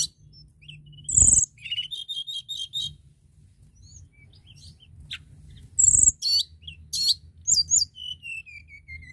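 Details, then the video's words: Lively Sunda bush warbler singing, used to encourage other birds to sing: rapid stuttering high notes, short repeated chirp series, and a long falling whistle at the end, with a steady low hum and occasional knocks. "Tledekan gunung gacor dorrrr"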